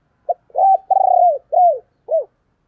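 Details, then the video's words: Female spotted dove's coo: a soft short note, then two-part phrasing of an arched coo and a long rolling descending croo, closing with two rounded arched notes. "cu mái gáy"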